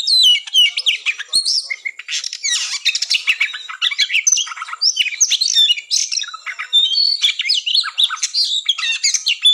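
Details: Oriental magpie-robin (kacer) fighting song used as a mental test to raise breeding drive before a contest; dense, loud, rapid stream of varied whistles, harsh squawks and chattering notes, continuous with brief pauses, high-pitched throughout.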